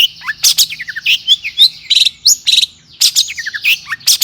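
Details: Agitated long-tailed shrike song meant to stir other shrikes to sing, a dense jumble of scratchy high notes, quick descending whistled slurs and harsh bursts with a brief pause midway.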